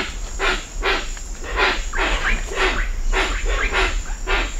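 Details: Hoatzin at Cocha Cashu, Manu, giving harsh, wheezy hissing calls in a rough series about once a second, with wingbeats, other birds and a steady high cicada drone.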